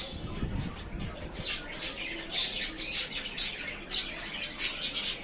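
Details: Budgies in a small new cage, stated to be very happy there, chatter with sharp, high chirps and squeaky tweets, irregular and overlapping, after a brief low rumble at the start.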